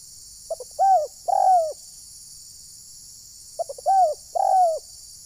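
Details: Spotted dove decoy calls used in bird trapping at Desa Satu Ujung Batu, Rokan Hulu, meant to provoke wild birds: two coo phrases, each a few short notes and then a drawn-out, slightly falling coo, in quiet surroundings.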